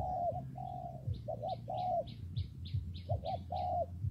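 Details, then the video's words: A spotted dove coos in rain and wind, long soft notes and quick doubled ones, as another bird chirps about eight times in an even, high series above a constant low hum. "Thời tiết mưa gió ace vào nghe cu gáy gù cả ngày"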